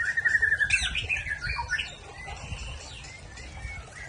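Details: White-rumped shama of the Aceh type singing in the rough trill style: a fast buzzy trill at steady pitch, then scattered rising and falling whistled notes, with low rumbling background noise throughout.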